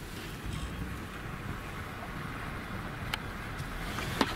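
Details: Steady wind rumble and broadband outdoor noise with a few sharp clicks near the end; no animal voice stands out.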